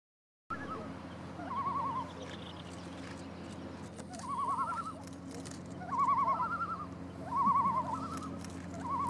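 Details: A curious pair of Great Northern Divers (Common Loons) on Lake Ljósavatn in north Iceland, about 20 m away, duet with quavering tremolo calls at two slightly different pitches, in bursts every second or two, over a steady low hum.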